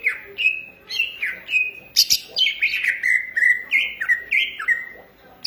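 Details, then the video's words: Green leafbird (cucak ijo) in Indonesia delivering a steady run of slurred whistles, each dropping then holding level, with occasional sharp high chips mixed in. "cucak ijo gacor manteb banget"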